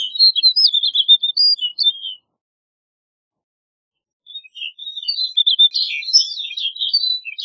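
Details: Snow bunting singing: two bursts of quick, high twittering warble with slurred whistled notes, separated by about two seconds of silence.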